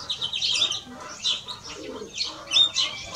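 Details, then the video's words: Male and female European greenfinches: rapid high chirps and twittering phrases come in short clustered bursts, with brief pauses between them. "Male and Female of Greenfinch - Cantec de Florinte"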